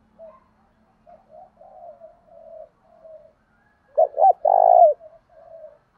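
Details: Spotted dove giving a Thổ đồng style coo that provokes rival wild doves. A series of soft, low, drawn coos builds to two short punchy notes and a loud, buzzy, sustained coo, then softer notes.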